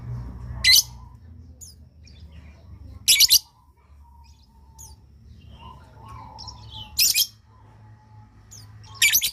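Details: Lovebird calls meant to make other lovebirds respond: loud harsh shrieking bursts repeated about every two to four seconds, with faint chirps and low hum in between.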